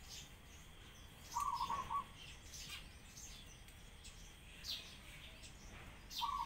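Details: Crying pigeons with sparrows nearby; a half-second grating, throaty burst early on and another starting at the very end, with scattered thin sparrow chirps between and constant low background noise.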